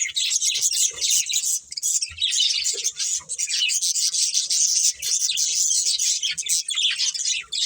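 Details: A breeding pair of budgerigars keeps up a continuous bright, twittering chatter of rapid high chirps and squeaky warbles with hardly a pause.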